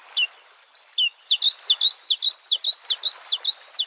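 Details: Bluethroat in spring beside a lake delivering a brisk series of repeated, ringing, downslurred high notes, about four per second after a couple of introductory chirps, with gentle wave noise behind.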